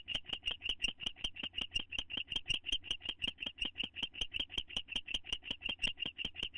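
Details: Two owls bonding in a nest box in May 2011, one attempting affectionate kissing. Rapid, evenly spaced chittering notes come nearly three per second, each with a sharp click, and run steadily throughout.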